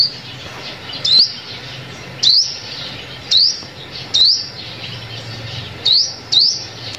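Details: Lure call of a sunbird for bird trapping, a series of six sharp, high, rising whistled notes at uneven intervals, the last two close together, over low steady hum.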